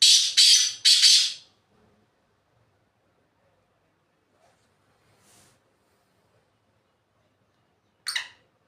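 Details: Black francolin calling from the top of a rock: an opening run of three loud, harsh, rasping bursts in about a second and a half, then near silence, with one short grating note near the end.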